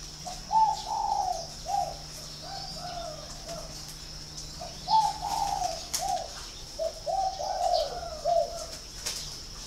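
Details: Spotted dove, Ba Vì, Hanoi, Vietnam, held at a dove-breeding farm. It repeats its cooing phrase three times in ten seconds, each a short series of mellow, hollow notes, with a steady faint hum beneath.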